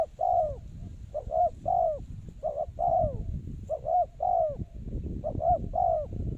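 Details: Decoy spotted dove used to lure wild birds into traps, calling continuously with low hollow coos: clipped doubled notes alternating with longer descending coos, accompanied by constant low rumbling noise.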